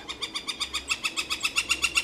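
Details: Northern flicker, a woodpecker at a birdhouse, giving a call likened to laughter: a rapid, even series of about sixteen bright, nasal notes at roughly eight per second, steady in loudness throughout.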